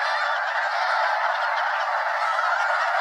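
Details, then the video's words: Well over 200 Snow Geese circling in flight over Limestone Bay, Wheeler National Wildlife Refuge, North Alabama: a dense, unbroken chorus of overlapping nasal honks, steady in loudness throughout. "Snow Geese Mega-flock Fly Arounds at Wheeler National Wildlife Refuge - Limestone Bay"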